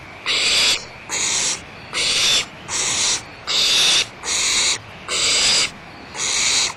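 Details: Barn owls at Audubon Starr Ranch Sanctuary, recorded 1 April 2011: eight loud, rasping hiss-screeches, each under a second, following one another in a fairly even rhythm with short gaps between.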